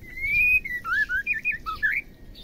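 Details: Female white-rumped shama, a sound meant to stir males into singing. A fluid run of loud whistles: a long rising note, then short looping slurred phrases tumbling up and down, with a faint background hum.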